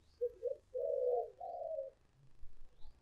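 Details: Decoy call of a spotted dove for luring: two short coos followed by two long, rich crooning notes, low-pitched, with a faint rumbling background noise.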